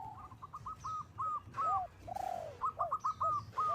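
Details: Softer staccato notes from a local zebra dove calling a rival, used as a lure. A lower swelling coo sounds midway, then quick repeated notes.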